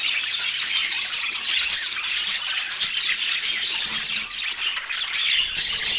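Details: High-pitched grating chatter from pet parakeets eating breakfast on an autumn morning, squawks and chirps overlapping constantly with small swells in loudness.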